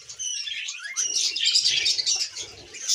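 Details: Tame female budgie chattering: a rising whistle opens into fast, dense buzzy warbling with quick chirps, about three notes a second.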